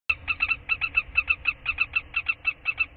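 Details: Common kestrel during a prey transfer on 7 April 2013 in spring, giving a rapid, steady series of sharp, high, chattering notes, roughly five or six per second, over a low background rumble.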